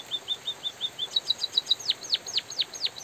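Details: Lively white-headed munia song over a light drizzle hiss: evenly spaced short high chirps, then faster paired notes, then loud thin whistles that drop steeply in pitch, roughly four to five per second.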